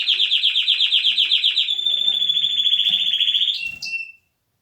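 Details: Canary delivering a fast chattering trill that smooths into a long steady whistled note, closing with a couple of sharp higher notes; faint low background sounds beneath.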